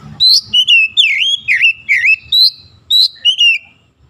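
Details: Morning-sun song of an oriental magpie-robin (kacer): a continuous run of about ten loud, dipping and rising whistled notes, each slurred and distinct, delivered quickly over four seconds.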